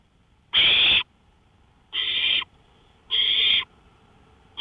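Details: Owl on a porch at 1:53 AM, May 5, 2013, making scratchy hissing calls. Three half-second bursts come about 1.3 seconds apart, and a fourth starts as the recording ends. The first burst is louder than the rest, over low background hum.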